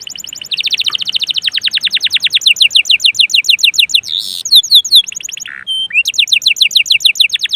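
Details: Caged canary in strong song, aimed at prompting other canaries to sing: sustained rapid high trills lasting several seconds, a harsh buzzy burst, a short whistle, then the trill resumes.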